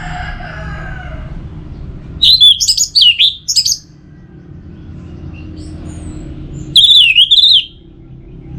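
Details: Anis merah (orange-headed thrush) recorded in Singaraja, North Bali, as a singing stimulus for kept birds. Two bursts of bright, wavering whistled phrases, the first in several quick pulses, over a steady low hum.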